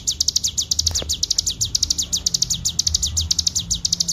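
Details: Bar-winged prinia in continuous ngebren song, a clear master recording for bird training: a fast stream of thin, high, downslurred notes roughly eight per second, evenly paced, with a soft low hum behind.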